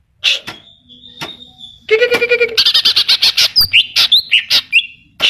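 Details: Greater green leafbird in lively song filled with mimicry of kapas tembak and cililin: a whistled note, then a buzzy low trill and a fast run of sharp high chirps, with abrupt slurred whistles near the end.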